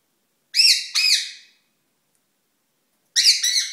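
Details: Courting rose-ringed parakeet, a pet in a small room: two drawn-out, hoarse, rich-toned screeches run together, a long pause, then a quicker double screech.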